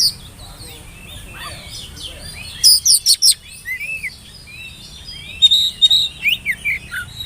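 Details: Oriental magpie-robin song used as a lure for young birds to start singing; soft scattered notes give way to bursts of quick sharp high chirps and short whistles repeated about twice a second.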